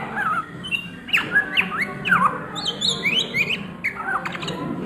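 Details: Oriental magpie-robin at midday in ngriwik-style song: quick rising and falling whistled sweeps and chattering notes in short bursts, separated by brief pauses, above a faint low hum.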